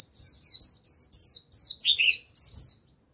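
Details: Japanese white-eye decoy in full líu song to draw in a wild flock: continuous rapid, high-pitched twittering phrases with a brief lower rolling section, lasting about three seconds.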